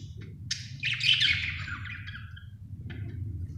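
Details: Happy budgerigar giving one extended chattering warble that slides slightly downward, followed by a quiet pause and a faint final chirp, over a low background hum.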